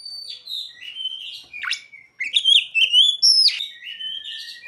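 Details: Mimicked ciblek and sogon phrases woven into Oriental magpie-robin song: steady quieter whistles, a sharp sweep, then loud rising whistles and a high falling note in a lively, irregular flow.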